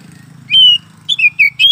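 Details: Oriental magpie-robin in a cage giving a few loud pure whistled notes, some slurred downward, over a low steady mechanical hum.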